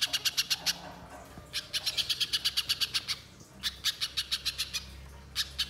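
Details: Little spiderhunter calling as a lure to draw out birdsong: clipped, high chattering notes in three quick runs separated by brief silences, each run a string of evenly spaced sharp chips.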